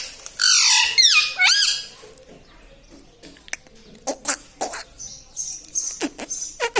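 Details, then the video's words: Talking pet parrot, repeating words like mummy and mithu. An opening cluster of harmonic, rising and falling speech-like syllables gives way to scattered sharp clicks and brief squeaks. "Parrot talking mithu mithu || mai bolunga || मम्मी पापा बोलता तोता"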